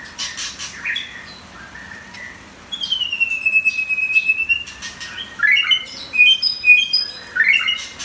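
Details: Competition white-rumped shama singing; a long steady whistle followed by rapid varied chirps and fluty notes, with some clicking noise in the background.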